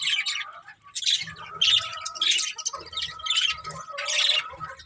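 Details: Budgerigars of a breeding pair chattering: harsh squawky chirps in short bursts roughly every half second to second, rough and buzzy, over a faint steady hum.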